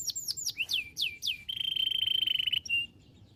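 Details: Canary chirping as training audio to spark replies from other canaries: a handful of slurred descending whistles followed by a dense, even buzzing trill lasting about a second and a short final note.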